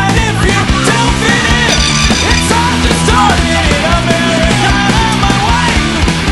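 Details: Loud distorted rock music with drums and guitars plays throughout, with no animal sound.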